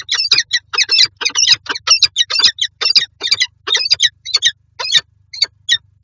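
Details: Peregrine falcon pair meeting in a nest box in Lublin, Poland, on 18 January 2023: rapid harsh chipping and wailing calls, rasping notes repeated more than twice a second in dense bursts, with a low steady hum underneath.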